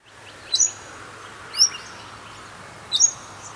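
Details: Splendid fairywren in Western Australia giving three thin, very high chips with short downward flicks, spaced about a second apart, over a soft outdoor hiss.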